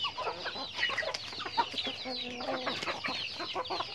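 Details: Chickens going about their daily activity, a flock giving dense overlapping clucks and short harmonic calls, some nasal and drawn-out, others quick and choppy, filling the whole recording without pause.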